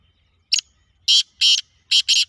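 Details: Black francolin calling: a brief faint note, then four loud harsh grating bursts in two close pairs over about a second, with a quiet background.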